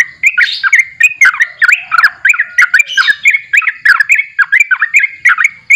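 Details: Energetic sooty-headed bulbul song, called 'borak barik': a continuous rush of short liquid, rising-and-falling notes, roughly three or four each second, mixed with brief buzzy overtones and a thin sustained whistle underneath.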